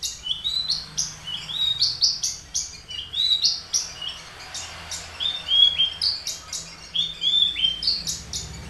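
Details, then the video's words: Caged Horsfield's bush lark of the Papuan race aliena, kept three years and taught finch phrases, singing busily: quick sharp chirps alternate with short downslurred whistles in a steady run of high notes, with a faint low hum underneath. "branjangan aliena gacor / mirafra javanica aliena / branjagan papua"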